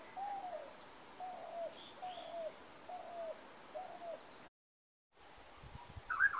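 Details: Bird calling: a series of five soft, low, slightly down-slurred notes spaced under a second apart, a short silence, then a brief higher note at the end.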